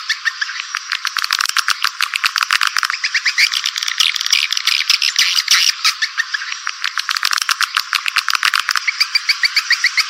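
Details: Swiftlet attraction sound, Walet Naga style: rapid high chirping in a steady stream of short notes, with a denser chattering passage midway and clearer separated chirps toward the end.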